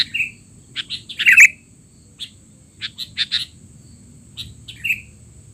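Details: Sooty-headed bulbul calls intended to teach young birds: sparse, sharp chirps with a loud clustered burst early on and a short falling whistle near the end, separated by quiet gaps.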